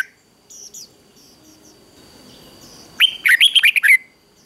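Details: Red-whiskered bulbul in the ché singing style, used to provoke competitive song. A quiet, faint start gives way to one loud, fast phrase of about seven bright warbled notes rising and falling, then silence.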